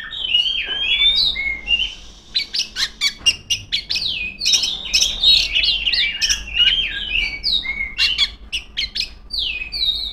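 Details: Female Oriental magpie-robin in loud song aimed at rivals, a long varied stream of clear whistled slides mixed with sharp clicking chirps delivered in rapid bursts.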